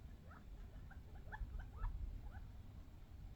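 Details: Wild quail, young birds only a few months old, come in off the desert and squabble over bird seed: a loose run of short, faint, rising chirps, some in quick pairs, over low rumbling background noise.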